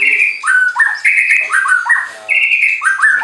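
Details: White-rumped shama at a bird farm in Anyer, Banten, singing to stir up rivals: strong pure whistles, alternating long level high notes with lower slurred ones in a steady, loud series.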